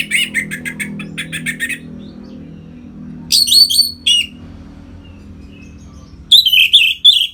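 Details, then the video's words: Orange-headed thrush in captivity, 'ngeplong' song used as a lure to bring birds into breeding condition. Quick runs of chattering whistled notes in several bursts, with a low steady hum beneath. "Suara Ngeplong ANIS MERAH Gacor Memancing Burung Agar Birahi dan Lanjut ke Tahap Teler"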